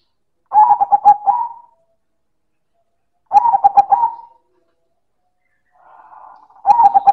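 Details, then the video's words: Silver zebra dove (perkutut) in loud manggung song, repeating its phrase three times about three seconds apart: staccato cooing notes followed by a held tone; a soft murmuring coo precedes the last phrase. "Suara Perkutut Silver - Manggung Keras dan Istimewa"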